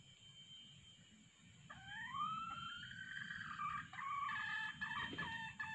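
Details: Red junglefowl calling to lure wild birds with a decoy male and female voice: long rising tonal notes swell and hold, ending in a choppy harmonic crowing phrase, with low rumbling background noise.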